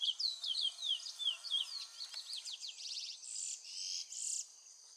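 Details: Chestnut-bellied seed finch (curió) song opening with high slurred down-swept whistles, then moving into rapid trilled notes and short buzzy bursts toward the end.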